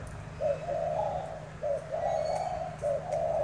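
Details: Spotted dove in a cooing contest, giving a short clipped note followed by a longer drawn-out coo, the pattern repeated three times against a low background hum.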